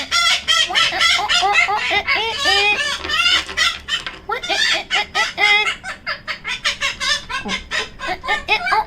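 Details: A pet female yellow-collared macaw, hiding in a cabinet, makes weird, rapid, harsh chattering squawks, about four per second, with rising and falling notes and occasional louder cries.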